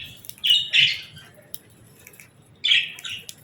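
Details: Several budgerigars gathered for evening feeding on seeds and millet grass; two loud raspy squawking chirps early, a pause, then another harsh chirp pair, with faint ticking behind.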